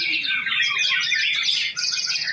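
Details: Rich, high twittering song from a male white-rumped shama at a breeding farm, tumbling notes running together, ending in a buzzy rattling trill.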